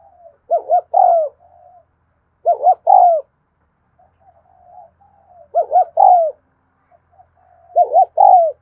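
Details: Afternoon recording of a spotted dove giving 'thúc gù' coos: each phrase a rapid pair of low hoots then a drawn-out falling coo, repeated every two to three seconds, with quiet murmuring notes in the gaps.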